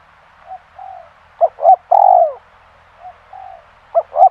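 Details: Spotted dove (tekukur), a pikat lure bird, giving mellow coos: two short clipped notes then a long, loud, downward-sliding coo near 1.7 seconds, with softer quiet coos before and after and a final pair of short notes.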